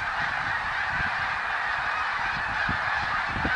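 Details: Snow geese in 2014 fill the air with a constant clamour of honks from a large flock, the chorus level and unbroken throughout the short stretch.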